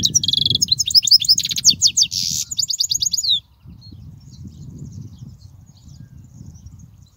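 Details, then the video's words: European goldfinch singing, a recording meant to teach young goldfinches: about three seconds of bright, liquid twittering interwoven with harsh buzzy trills, then silence apart from faint low background noise. "تغريد الحسون"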